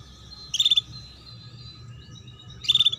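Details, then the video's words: Female canary chirping, used to prompt young birds to start singing and to raise breeding drive: two brief, high, rapidly pulsed buzzy chirp bursts about two seconds apart, with quiet low hum between. "Pancingan Kenari BETINA Cuit Cuit"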